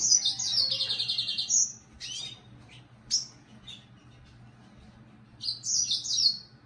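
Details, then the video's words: Red siskin giving a high buzzy twittered phrase, then a few scattered single chirps, and another rapid chattering burst near the end; low steady hum in the background. "Red Siskin"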